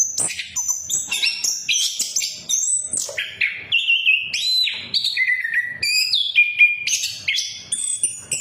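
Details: Whistled song of an orange-headed thrush, played as a lure so silent birds sing again: varied clear notes stepping up and down, some held briefly, delivered in a steady rapid flow.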